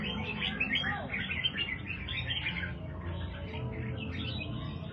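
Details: A red-whiskered bulbul of the Do Thái line, kept as a songbird, pours out a chattering stream of rapid high chirps and slurred whistles, fading slightly toward the end, over a low background hum.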